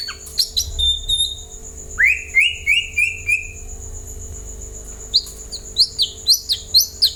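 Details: White-rumped shama song to prompt other birds to respond: high clear whistles, a series of five rising slurred notes, then a run of short sharp upswept chirps repeated about every third of a second.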